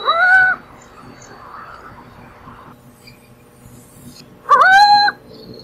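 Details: Burrowing owl uttering two nasal, rising-then-level harmonic calls about four seconds apart, each roughly half a second long, over a faint low background hum.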